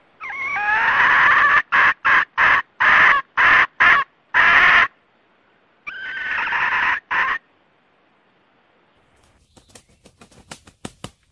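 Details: Male and female red junglefowl calling to the flock, used for trapping. A long harsh wail is followed by rapid choppy squawks, then another drawn-out cry. Faint clicking and tapping sounds come near the end.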